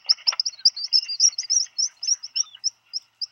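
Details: Black guillemot in its burrow at Seal Island National Wildlife Refuge, Maine, USA, on 27 June 2020, as a brooding parent hears its mate arriving with food for a chick: a rapid, high, thin twittering of sibilant whistled notes, slowing and thinning.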